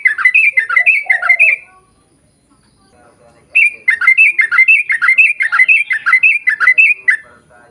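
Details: Yellow-vented bulbul, in a lively long-rolling 'ropel panjang' style, used as a lure so birds of the same kind answer. Fast chattering bubbly phrases of rising and falling whistled notes in two bursts, separated by a short pause.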